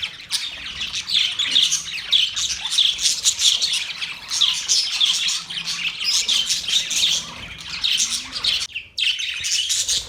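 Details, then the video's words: Budgerigar chatter: a steady stream of rapid, raspy chirps and thin whistled notes in overlapping bursts, with a brief near-silent gap close to the end before the twittering resumes. "Budgies singing | Budgies sounds | Budgies talking | Budgies chirping sounds"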